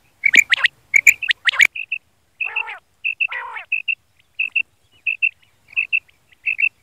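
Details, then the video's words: Male quail calling, used for hunting at morning and night: a loud burst of sharp, broadband notes, then evenly spaced short clear notes in pairs, interrupted twice by buzzy rasping sounds. "Batair ki awaz batair hunting Batair ki night awaz"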